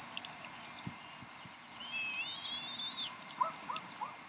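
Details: Bald eagles at the Decorah nest on 26 April 2012, 7:50 pm CDT, while the mother feeds three eaglets. Several thin high whistled calls overlap, some level and some sliding downward, with faint soft peeps underneath.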